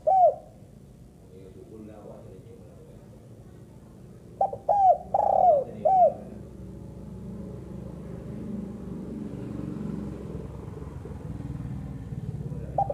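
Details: Female spotted dove: one mellow falling coo at the start, then a single phrase of four soft hooting notes midway, the longest one drawn out and slurring down, followed by a long stretch of faint background hum.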